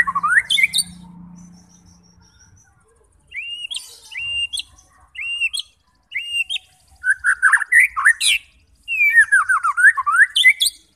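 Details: Full white-rumped shama song meant to provoke fighter birds to sing and unload their repertoire: high chirps, spaced rising whistles, then dense bursts of slurred whistles and rapid chattering phrases.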